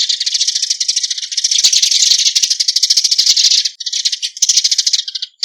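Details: Eurasian tree sparrow calling its flock, a steady, rapid chatter of sharp high chirps that builds in loudness mid-way, then breaks into shorter bursts with small gaps near the end.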